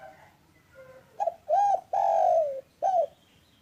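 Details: Spotted dove, a local bird, cooing in the afternoon: soft faint tones first, then a loud phrase of a brief note, an arched coo, a long slowly falling coo and a final arched coo.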